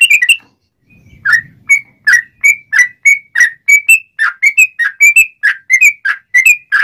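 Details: Sooty-headed bulbul song used as a lure for trapping wild birds and as a training model: clear, sharp notes repeated in a steady run of short rising and falling whistled phrases, about three per second, after a brief low rustle.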